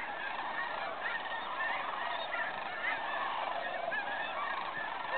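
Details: Cranes streaming in to roost at Bosque del Apache National Wildlife Refuge during the 2011 Festival of Cranes, many birds calling at once in a steady, thick chorus of rolling trumpet notes.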